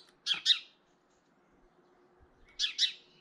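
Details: European goldfinch, early April, intimidating another goldfinch: two loud, scratchy double bursts about two seconds apart, each a quick pair of harsh noisy notes, in otherwise near silence.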